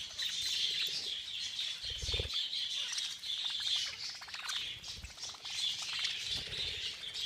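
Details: Budgerigars crowd together during a feeding frenzy, their shrill chattering and chirping forming an unbroken wall of sound, with a few low thumps like wingbeats or landings.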